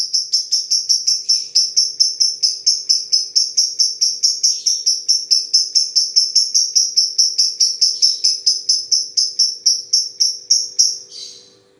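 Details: Lovebird in a long 'ngetik ngetik panjang' typing-style run: an unbroken string of high, clipped tick notes, roughly five per second for about eleven seconds, ending in a slightly drawn-out note before silence; a faint low hum underneath.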